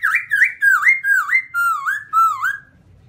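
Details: Black-throated laughingthrush with white cheeks giving a fluent run of six loud whistled phrases, each swooping down then up, delivered about two per second, with a faint hum underneath.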